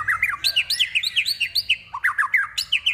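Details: White-rumped shama in a song of imitated prinia, kapas tembak and eagle calls: a rapid, steady series of short descending slurred whistles, about six per second, with a brief pause near the middle.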